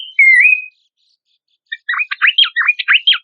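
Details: Horsfield's babbler song used as a lure and training material for competition songbirds: one loud, slurred whistle, a pause, then a quick series of sharp, down-swept chirps.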